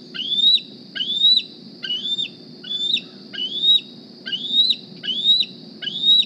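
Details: Squeeing juvenile bald eagle D36, hatched April 2020, begging for a meal at the Decorah nest; repeated high whistled notes slide upward and drop abruptly, nearly one every second, over faint low-frequency noise.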